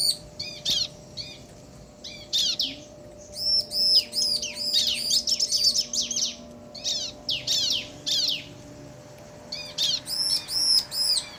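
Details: Bar-winged prinia pair, male and female, calling in turn in crystal ciblek style. Short bursts of high chirps alternate with silences, then build into long rapid runs of arched notes.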